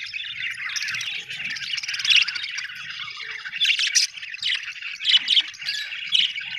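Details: Chattering budgie, Australian bird, giving a run of scratchy warbles broken by sharper squawky peaks roughly every second toward the end.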